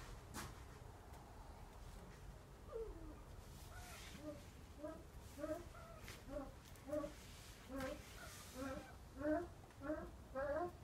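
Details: A koklass pheasant (Pucrasia macrolopha) at a pheasant breeding nursery gives a run of short, low, throaty clucking notes, about two a second, growing louder toward the end over a steady low rumble.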